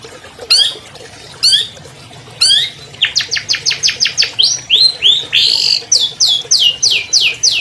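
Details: Albino long-tailed shrike, a 2020 champion, singing to lure captive shrikes into song: a few rasping notes, then a fast series of clear, downslurred whistled notes and sweeping chirps, rapidly repeated.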